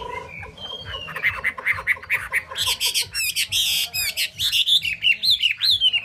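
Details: Chinese hwamei mixing harsh, buzzy, squawking notes in a dense burst before switching to clear rising whistled phrases near the end.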